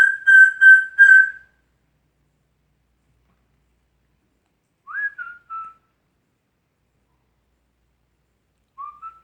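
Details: Original composition whistled by a male pet African Grey parrot: three short identical whistles in quick succession, a long gap, a brief rise-and-fall phrase, then one faint rising note.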